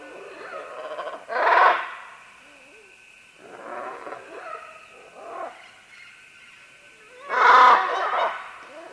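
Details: A group of green-winged macaws moving down vines utters loud, grating screeches. A harsh burst opens and closes the passage, with softer raspy calls and a brief croak between them.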